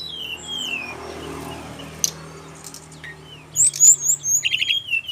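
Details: Brown-chested jungle flycatcher song from Bali, used to prompt other birds of its kind to answer. A hissy background comes first, then a burst of high, sharp whistles and quick chirps near the end.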